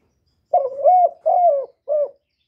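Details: Spotted dove cooing: three hollow notes run close together, a long wavering coo, a steadier falling coo, then a short final coo, clean and without other sounds.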